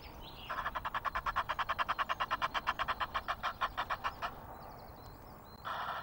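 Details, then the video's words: Noisy Egyptian geese on a Loch of the Lowes webcam in Scotland, 5 March: a fast series of hoarse, rasping pulses lasts about four seconds, then a pause and a short louder harsh burst at the end. "Egyptian Geese, noisy"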